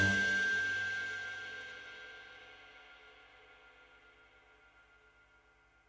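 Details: A single bell-like chime rings out and slowly fades away, with no animal voice heard.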